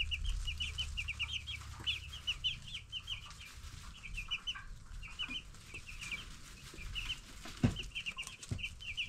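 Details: High repeated peeps from a group of 10-day-old broiler chicks, dense at first, then in clustered bursts, over a low hum with occasional knocks.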